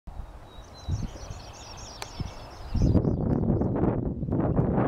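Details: Sprague's pipit (Anthus spragueii) in flight song over a field at Condie Nature Refuge, May 9, 2016, 9:30 a.m., heard but not seen: faint, high, thin tinkling notes spiralling downward, swamped by loud rumbling wind noise.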